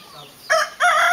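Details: Hen teaching her chicks to find food utters two loud, nasal, harmonic notes in quick succession, the second longer and steady, after soft background peeping.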